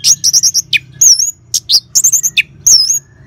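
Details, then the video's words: Orange-headed thrush ngeban song, used to prompt caged birds to sing: bright, very high whistled and twittered phrases in quick clusters, with brief pauses between groups. "Suara Ngeban Untuk Pancingan ANIS MERAH Jitu Membuat Burung Gacor"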